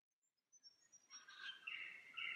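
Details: Lyrebird in the Cathedral Ranges on a Sunday morning, along the descent from a campsite near streams; the song is described as the traditional 'Song A' cadence. Thin high whistles give way to a loud, rich warbling phrase around two to three thousand, building toward the end.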